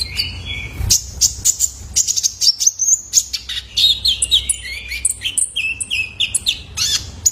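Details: Juvenile male kolibri ninja (Purple-throated Sunbird) used to train caged birds: nonstop busy twittering of high chirps and quick whistled slurs dipping up and down in pitch.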